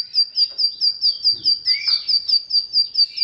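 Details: Bar-winged prinia song used as a lure for silent birds: evenly repeated high, piercing chirps, roughly four per second, with a brief lower swooping note midway.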